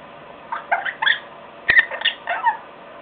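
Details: Young African grey parrot, four and a half months old, kept as a pet, trying to talk while watching television: a run of short squeaky chirps and warbling syllables with one sharp click in the middle.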